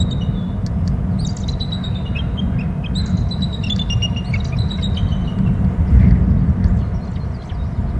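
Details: Bald eagles at their nest on Hornby Island during nest building, as the female arrives with a grass bundle and the male moves nearby: a high, thin chittering series of short piping notes in bursts, over strong, steady, low wind roar.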